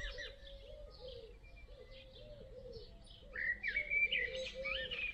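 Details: Nestling great tits in a nest box as an adult brings food, evening. Faint high chirps, then a loud squiggly chirping burst in the second half, with a lower repeated note from another bird throughout.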